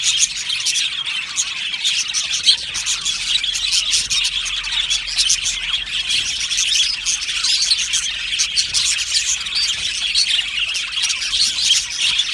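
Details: An aviary of happy budgerigars in full chorus. Many birds chirp and warble continuously at a high pitch, dense and even throughout, with brief louder squeaks scattered among the chatter.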